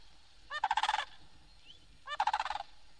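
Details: Florida Sandhill Crane, found only in the remoter Kissimmee Prairie and Everglades, giving its loud rolling call. Two trumpeting rattles, each about half a second long and about 1.5 seconds apart, sound over a faint hiss; recorded on a 1969 record.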